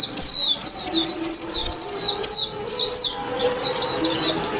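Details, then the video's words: Chattering song of a warbling white-eye: bursts of sharp, high, falling chirps strung in quick groups of two to four, with brief pauses between bursts, over a quiet background. "tiếng chim vành khuyên hót líu lo"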